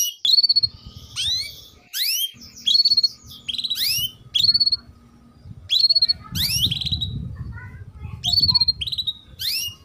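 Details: Female canary giving its cuit-cuit chirping, used as a lure to teach young male canaries to start singing; bright upward-sweeping chirps in short clusters, about eight bursts spaced roughly a second apart over a low background rumble.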